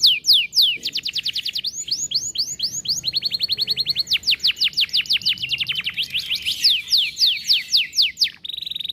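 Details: Canary in 'cengkok mewah' song, vigorous and continuous: rapid series of high downward-sweeping notes, steady even trills, then a sharp sweeping run and a closing buzzy trill.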